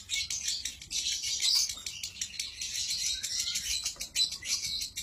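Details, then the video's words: Lovebird singing in the konslet style, an unbroken, very high, shrill chattering trill that pours out without pauses for the full five seconds, dense and buzzy with rapid flickering notes. "Suara burung Lovebird konslett"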